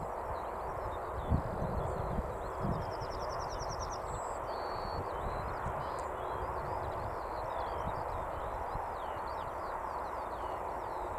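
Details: Yellowhammer singing on Fleam Dyke, Cambridgeshire, UK, on 23 June 2021; one high phrase of quick repeated notes ending in a drawn-out note, with faint twittering from other birds over steady broad background noise and a few low thumps.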